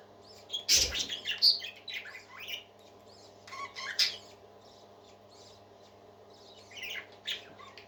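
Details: Parakeets calling in a room: a loud harsh squawk, then scattered short chirps and scratchy notes in irregular bursts separated by quiet gaps, with a constant low hum beneath.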